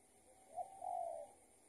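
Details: Spotted dove heard during trapping, responding to a decoy, an escaped tethered bird: one faint, distant low coo, a short note then a longer hoarse one, over a steady hiss of background noise.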